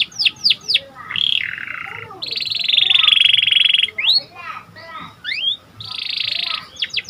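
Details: Panda canary song, described as gacor, for stimulating and training canaries: downward-sweeping whistles, a long buzzy trill near mid-pitch, more swept notes and a second rapid trill, varied and loud.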